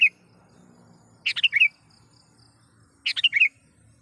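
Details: Sooty-headed bulbul in lively voice, calling a rival and used to lure wild bulbuls: two short bubbly phrases of quick liquid notes, about two seconds apart, with faint low hum beneath.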